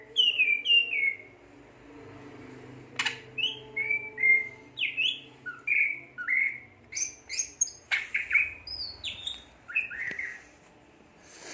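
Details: Greater green leafbird in full song, a run of clear whistled notes sliding down from high to lower pitch, then varied chirps and rapid sharp phrases, notes spaced roughly half a second apart; faint low hum behind.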